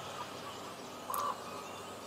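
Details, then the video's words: Common raven calling in Juneau, Alaska: one short, hollow, even-pitched croak about a second in, standing out against steady background hiss. "Common Ravens Talking in Juneau, Alaska"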